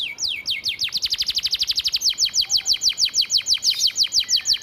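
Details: Domestic canary singing a master vocal for training, filled in with sparrow, cigun and flamboyan phrases: loud rapid trill of sharply falling high notes, about six per second, speeding up slightly and staying steady throughout.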